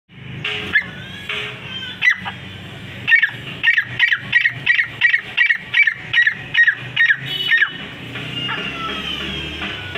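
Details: Francolin calling: after a few scattered notes, a rapid series of harsh, honking calls repeated about three times per second, ending with a steady background hum.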